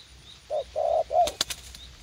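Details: Garden at U Minh, where a young fight-eager decoy spotted dove is set out to lure others; three mellow hollow coo notes, then sharp clicking knocks close by.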